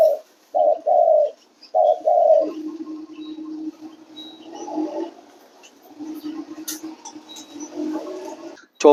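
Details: Spotted dove giving low paired coos, a short note then a longer one, repeated in the first seconds, then fading into a steady low hum and faint scattered background noise.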